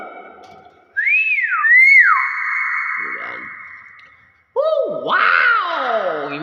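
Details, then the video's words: Nias hill myna with a looping whistle that rises and then slides down into a long steady note. After a pause comes a harsh, nasal, wavering call, and a low murmur is heard at the start. "BEO NIAS SUARA ASLI UNIK"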